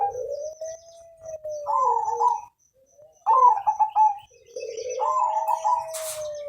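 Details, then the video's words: Zebra dove of the Mojopahit colour form, singing at length to prompt other birds to sing: three phrases of warbling, tremulous coos, each joined to a long smooth lower note, with short pauses between them. "Perkutut Gacor Panjang Suara Merdu Warna Mojopahit Untuk Pancingan"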